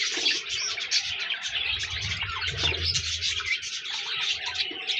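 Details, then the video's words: Dense budgerigar chatter of overlapping high, scratchy warbles, over a low hum in the middle. "Budgies Birds talking sound | Birds chirping sounds"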